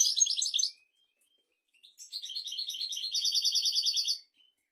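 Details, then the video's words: Goldfinch song of the 'royal' kind, played to teach goldfinches and canaries: a short tinkling burst, a pause, then a long, accelerating phrase of high twitters turning into an even, repeated trill before fading. "تغريد طائر الحسون ملكي"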